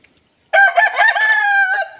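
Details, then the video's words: Aseel rooster crowing once, loud and raspy, with a choppy wavering opening, a long level middle and a brief extra note tagged on at the end, against near silence. "Aseel Rooster Crowing Machine | Rooster Crowing Sound Effect | aseel murga ki aawaz"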